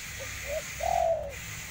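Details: Spotted dove giving a single phrase: two short soft notes followed by one long, smooth, low coo that fades at the end.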